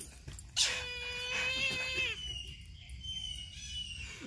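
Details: A Brahminy kite gives a loud, plaintive mewing cry. It holds a level tone for about one and a half seconds, then slurs downward. A thinner, higher trailing note follows, with background hiss throughout.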